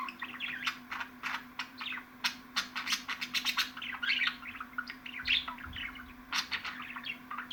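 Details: Budgerigar in lively chatter, rapid scratchy twitters and loud ticking clicks tumbling together almost without pause, a faint steady hum behind.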